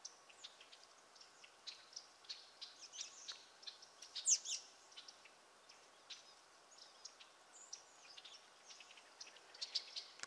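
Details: American goldfinches drinking and eating in a swamp at Roxbury Park, Meggett, South Carolina, give scattered high, thin twittering chips at an irregular pace, with a steady soft background hiss.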